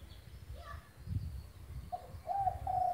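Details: Spotted dove, described as a lively, persistent singer, in a recording meant as a tutor for doves that have stopped cooing; after low rumbling background noise, a series of mellow, slightly wavering coo notes begins at the end.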